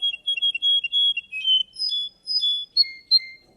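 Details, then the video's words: Competing Russian canary in a singing contest delivers a fast warbled series of short whistled notes, steady held tones and sharp downward slurs, clean and loud with no other sounds. "Kontes burung Kenari Rusia"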